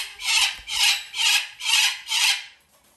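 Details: Lesser sulphur-crested cockatoo, a hand-fed female chick bred in Japan, in a shop: harsh, raspy screeching calls repeated five times about every half second, each a broad grating burst.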